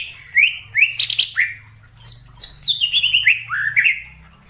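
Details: Cucak ijo lure call for trapping birds: lively whistled phrases of rising and falling slurs with scratchy high chirps, delivered in fast bursts, with a faint low hum underneath.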